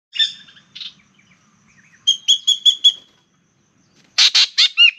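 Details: Spangled drongo in Australia, a noisy male-or-female bird singing low down near water while its partner chats from the tree overhead: scattered harsh chirps, then a run of five metallic ringing notes, then a burst of loud buzzy notes.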